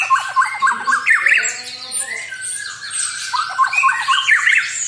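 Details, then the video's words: White-rumped shama singing energetically to provoke an opponent: bright whistled notes, a series of lower warbled phrases, then a long descending slur and more quick high whistles. "Pancingan Murai Batu.!!! bikin lawan jadi emosi"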